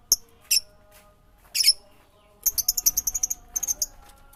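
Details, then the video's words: Songbird singing: rapid series of very high, thin chipping notes, some run together into quick trills, with a faint steady hum underneath. "Suara burung berkicau"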